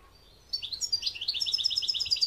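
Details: European goldfinch song from 2021: after a quiet start, a rising twitter leads into a fast, evenly repeated series of high, tinkling trilled notes.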